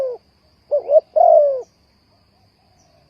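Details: Single phrase from a spotted dove used as bait in bird trapping. A low doubled coo leads into one long, smooth, slightly falling note, with the start of another coo at the end.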